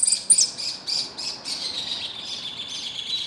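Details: Goldfinch singing a full song: a dense, fast, jingling twitter of high chirps and buzzy notes running continuously, with sharper notes at the start.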